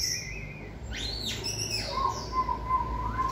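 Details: White-rumped shama in training for singing stamina, giving clear whistled notes that arch up and down, then a long steady whistle, over a low background hum.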